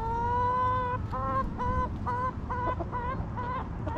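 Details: A backyard hen in the coop gives one long, drawn-out nasal note lasting about a second. Quick, evenly spaced short clucks follow, roughly three per second, over steady low background noise.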